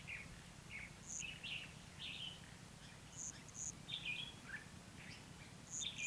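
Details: Red-whiskered bulbul in a fighting-song contest used to trap wild birds, 29 February 2016; repeated short chirpy warbled phrases throughout, mixed with high thin squeaks, against steady outdoor noise.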